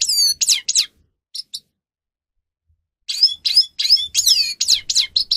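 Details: Grey-crowned goldfinch song for training captive birds: bursts of bright, tinkling high twitters and rapid descending slurred notes, a two-second silence, then a fast run of varied chattering phrases.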